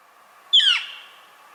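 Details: Northern Flicker contact call, often likened to 'kee-yer', played as a Washington woodpecker example: a single loud, sharp, downslurred scream about half a second long, with rich harmonics over quiet background hiss.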